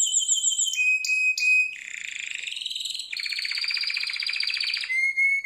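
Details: Harz Roller canary training song: pure whistled notes and short trills open into a long buzzy rolling tour, then a clear sustained whistle, steady and without background noise.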